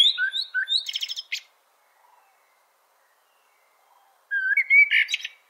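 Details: Fluty blackbird phrases open with low mellow whistles, then break into a burst of high scratchy twitter; a quiet pause follows before another rich whistled phrase with a squeaky ending.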